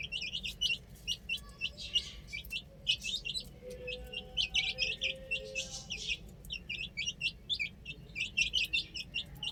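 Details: Baby chickens playing on a roof produce rapid, piercing peeps in rhythmic bursts roughly every half second, with faint lower hums beneath the chorus.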